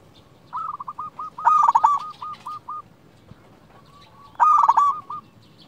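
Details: Local zebra dove in lure song to make other zebra doves respond: a long run of short clipped coos overlapped by a loud rolling burst, then after a pause another loud rolling phrase.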